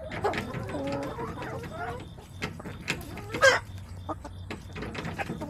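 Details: Backyard hens on September 21, 2024 clucking in short, low, bubbling bursts, with a louder sharp cluck midway and scattered softer notes afterward over a faint hum.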